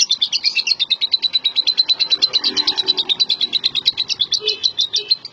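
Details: Champion contest lovebird singing a long, fast chattering trill of high, buzzy notes, about three per second, kept up steadily with slight changes in pitch throughout.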